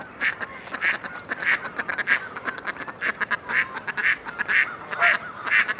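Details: Mallard giving evenly spaced, loud nasal quacks, roughly two each second, with a faint background hiss between calls.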